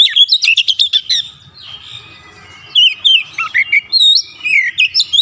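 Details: Oriental magpie-robin (kacer), described as stressed, singing rapid clipped notes, then a run of varied looping whistles and twangy phrases after a short quiet gap.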